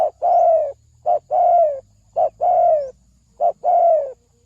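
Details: Trapping lure of a spotted dove, repeated in pairs: a short clipped coo, then a longer coo that slides downward, about one pair every 1.1 seconds, over a faint low hum.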